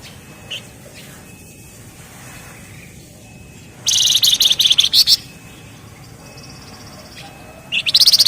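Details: Flamboyan, or Javan fulvetta, singing in the dense 'ngebren' manner: quiet thin notes, then a loud fast high trill of stuttering pulses for over a second, and another trill starting near the end.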